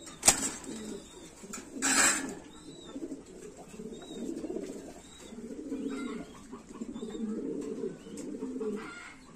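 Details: Farm-kept Lahori pigeons in Comilla, Bangladesh, giving repeated low, rolling coos in bursts of about a second. Two loud knocks or wing claps come early, and faint high squeaks sound in the background.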